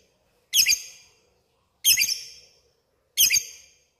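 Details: Lovebird calling to a rival: three separate loud, rasping, high shrieks about 1.3 seconds apart, each ending in a long echoing decay, silence between.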